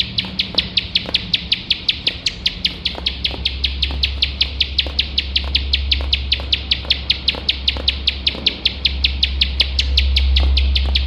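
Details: Relentless song of a bar-winged prinia (ciblek sawah), recorded as training material for competition songbirds: a long, steady string of sharp high chips, roughly six per second, over a continuous low rumble.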